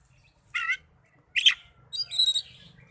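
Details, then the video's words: Oriental magpie-robin song used as therapy to get young or silent birds singing: three separate phrases, a short harsh burst, a sharp downward note, then a higher whistled warbling phrase, with gaps between. "Terapi burung kacer muda dan kacer macet bunyii"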